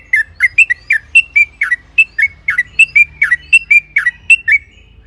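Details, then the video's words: Yellow-vented bulbul singing a long, rapid bubbling phrase meant to provoke other bulbuls into song: steady chains of short, ringing, downslurred notes, roughly three or four each second, in a clean recording. "Trucukan gacor ropel panjang AMPUH,, pancingan TRUCUKAN AGAR BUNYI"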